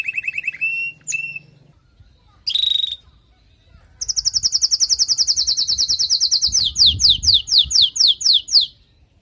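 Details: Female canary calling to stimulate and ready the male after his moult: short trilled phrases and a brief buzz, then a fast high trill that slows into separate downslurred notes.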